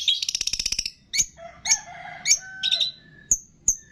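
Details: Long-tailed shrike training song packed with imitations of cililin, greja tarung, lovebird, tengkek and kapas tembak: a rapid burst of high chattering notes, then sharp upslurred chips separated by short whistled and buzzy phrases.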